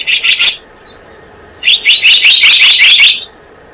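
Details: Blue-eared kingfisher calling for a bird lure: a short burst of shrill notes, a brief quiet spell with faint chips, then a long rapid run of piercing high notes.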